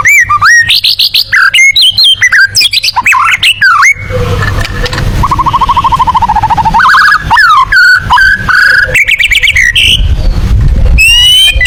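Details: A white-rumped shama sings in the tembakan style, said to suit contest birds. Loud, clear whistles sweep up and down in rapid varied bursts, then a long rattling trill, then more ringing notes.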